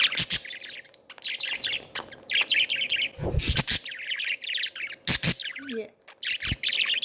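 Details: Three pet budgerigars at play chatter in a fast, scratchy warble of high chirps, broken by sharp clicks and taps.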